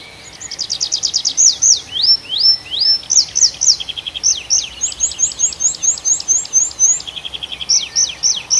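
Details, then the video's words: Bird song in a nocturnal forest of the Arkhangelsk region in June: a loud, fast series of high clear notes, rapid rattling trills and descending whistled strokes, delivered in steady rhythmic runs with little background noise. "Пение птиц в ночном лесу"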